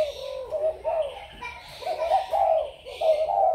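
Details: Spotted dove from Malaysian, Thai or Cambodian lines, 21 November 2022, cooing indoors: a run of soft, throaty notes in two groups, the later ones louder and slightly rising, with faint twittering above.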